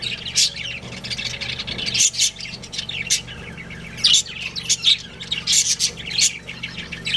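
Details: Budgies of a breeding pair chirp in separated sharp, bright notes and short squawky bursts, with quieter chatter between and a low background hum.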